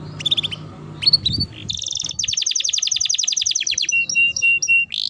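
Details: Canary song used as a lure to stimulate other canaries to sing: a few scattered high chirps, then a fast, even trill of repeated notes, then downward-sliding whistled notes and a rising sweep.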